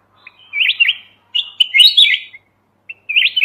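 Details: Red-whiskered bulbul of mountain origin, played as a trapping lure, sings quick bubbly whistled phrases back to back, warbling notes rising and dipping, then a short single note and another phrase.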